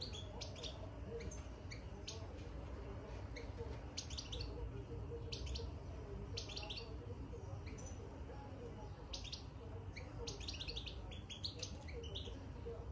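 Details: European goldfinch in a cage, singing its soft bitbita twitter after being put inside; brief high chirps and clustered trills recur every second or two above a constant low rumble.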